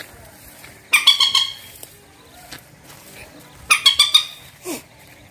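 A rail gives two bursts of harsh, rapid, squeaky notes a few seconds apart, then a short lower downslurred note against a quiet background.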